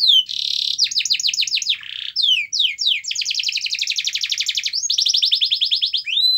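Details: Canary singing vigorously in full song, used as a lure to prompt other canaries to sing: high buzzy trills, rapid rattling rolls and fast repeated descending sweeps, chained without pause, loud and continuous throughout.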